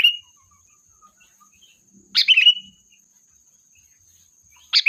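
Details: Sooty-headed bulbul calling its flock, used as a lure. A short, bubbly, chattering phrase drops into a clear whistled note and trails off. Parts of further phrases sit at the edges, over a steady thin high whine.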